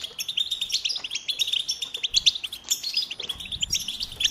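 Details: A goldfinch sings a steady stream of sharp, high chirps mixed with buzzy trills and tinkling notes, fast and rhythmic throughout.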